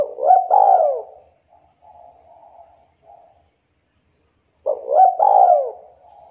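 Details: Local Javanese spotted dove with a sweet, sharp voice, used to encourage lazy doves to sing: a coo phrase with a falling long note, quieter soft murmurs, then the same phrase repeated about four seconds later.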